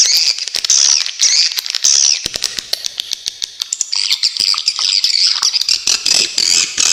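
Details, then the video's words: Swiftlets recorded as a training track for cage songbirds: shrill buzzy chatters at the start and end, with a middle stretch of rapid dry clicks and ticks in uneven series. "suara masteran burung walet super jernih"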